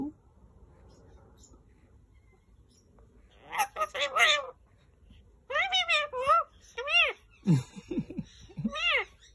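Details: Green male Indian ringneck parakeet speaking indoors: a quiet start, then a run of rapid high, arching speech-like syllables, then lower-pitched chattering phrases toward the end.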